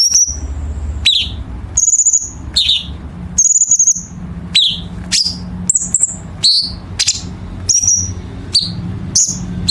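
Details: Chinese bulbul training song with dense harsh-note fill for competition birds: quick downslurred chirps and high flat whistles follow one another, about one each second.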